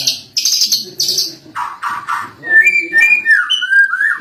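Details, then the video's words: Cililin-style lovebird song for training songbirds: opens with harsh buzzy bursts, then a string of clear rising and falling whistles and chirps delivered in a lively, uneven rhythm. "bongkar isian cililin Lovebird masteran burung"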